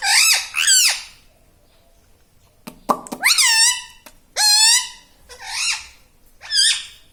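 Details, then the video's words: Pet talking parrot in a small room, said to repeat "Mummy" and "Papa"; two quick nasal syllables, a pause, clicks, then four rich, harmonic syllables with falling or arched pitch spaced about a second apart. "Talking Parrot"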